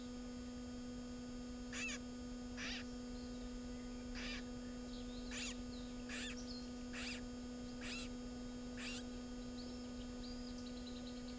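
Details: Garden warbler recorded at its nest during breeding, in mid-June: a series of sharp, dry, clicking tack notes, about seven spread over nine seconds at uneven intervals, with a faint thin twitter near the end and a steady electrical hum throughout.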